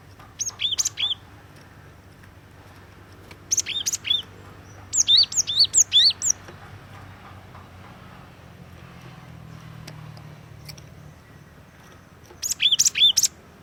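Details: Cinereous tit (glatik watu) giving energetic lure song: short clusters of sharp, high looping whistles, each cluster a rapid run of repeated notes. Clusters are separated by pauses of a few seconds over a low background rumble.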